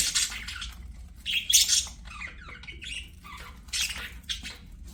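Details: Pet budgerigars singing while playing, a scratchy, squawky chatter in irregular bursts of harsh high notes separated by short pauses, with a faint low hum beneath.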